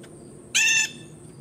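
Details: Single harsh, rasping call of a blue jay feeding in a yard, lasting about a third of a second, full of bright overtones, with a quiet steady hum behind it.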